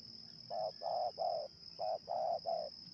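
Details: Wild spotted dove with a medium-pitched voice, lured to the ground by decoys in Indonesia, cooing in two groups of three low, hollow notes; a steady high insect-like whine runs throughout.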